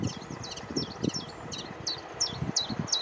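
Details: Common chiffchaff on Aylesbeare Common, 16 June 2020, giving high, sharp repeated notes about three per second, partly masked by low thumping rustle or handling sounds.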